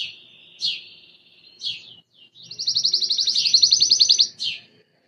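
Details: Copper Belgian canary singing eagerly. Short high chirps with gaps lead into a fast, even trill of rapid pulses lasting about two seconds, then a final chirp. The song is fairly soft against a quiet background.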